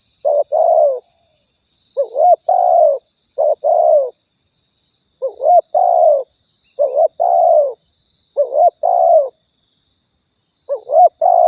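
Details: Lure call of a spotted dove from Riau, Indonesia, used for trapping and hunting: a long run of repeated paired coos, a curling upslurred note then a broad falling one, roughly every 1.5 seconds, over a thin steady whine.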